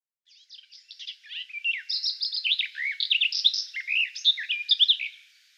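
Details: Garden warbler (Sylvia borin) song at a Russian forest edge: a fast, rich, even-flowing warble of mellow notes, running unbroken for about five seconds with no other sounds.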